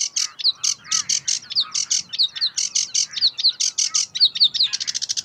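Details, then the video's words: Sedge warbler song recorded in May 2016 at Uitkerkse Polder, Belgium: rapid grating chirps repeated in a steady pulse, interleaved with short downslurred whistles, ending in an accelerating rattle of quick clipped notes. "Phragmite des joncs (Acrocephalus schoenobaenus) Sedge Warbler"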